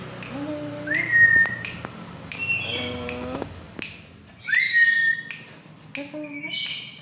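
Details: Tame, talking black-capped lory: two bright upward-sweeping whistles, short harsh squawks, and speech-like mimicked syllables with a low, voice-like tone, all indoors.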